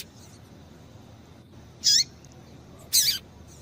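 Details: A female double-collared seedeater (coleiro) gives two brief, thin, high chipping calls about a second apart against a faint background hiss; a female call used to excite male seedeaters into singing.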